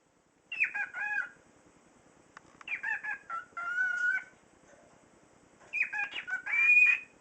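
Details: A pet cockatiel talks in three raspy, warbling phrases, mimicking the French sentence "c'est un beau petit bébé" in its own reedy voice.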